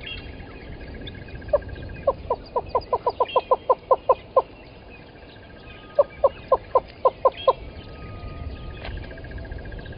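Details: Yellow-billed and red-billed hornbills below a waterhole camera at Gowrie dam, Djuma Game Reserve, Sabi Sand, South Africa, early morning 13 October 2020: loud hollow clucks speeding into a rapid run of about a dozen, a pause, then a second run, over insect hum.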